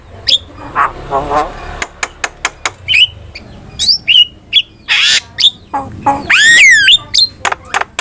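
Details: ['Starling master song for training birds, a varied sequence of short clicks, whistled notes, buzzy harsh bursts and one long rising-falling squeal near the end.']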